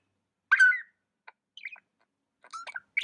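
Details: Pet budgerigar giving a bright chirp that bends downward, followed by faint clicks and a short scratchy chatter of quick warbled notes, with quiet pauses in between.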